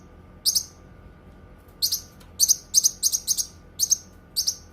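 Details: Song of the Cucak kinoi, suited to tutoring and therapy: after a lone double chirp and a pause, high buzzy double chirps come in quick succession at irregular spacing.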